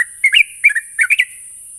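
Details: Sooty-headed bulbul lure song for training a young bird to sing: three short bursts of warbling, liquid whistled notes within under two seconds, with faint hiss.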